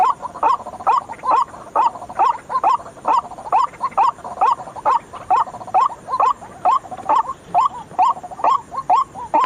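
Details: White-breasted waterhen lure call played at night to draw birds in for trapping; loud, harsh, croaking notes repeated steadily about twice a second in an even, mechanical rhythm.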